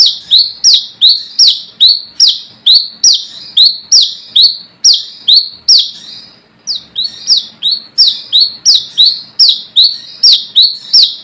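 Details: Brown-throated sunbird in the wild, calling out rivals as a lure: rapid high-pitched notes sweeping downward with buzzy ends, repeated continuously for over ten seconds with one brief break midway.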